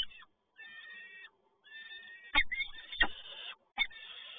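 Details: Peregrine falcon at PGE Toruń, Poland, on 7 May 2022, as the male brings another prey delivery: drawn-out, harmonic wailing calls in short bouts with brief gaps, with two or three sharp knocks and thumps midway.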